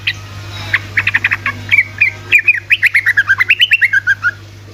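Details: Yellow-vented bulbul singing 'ropel' style as a lure for lazy birds: quick staccato chirps, then a long bubbling run of wavering warbled notes, with a faint low hum throughout.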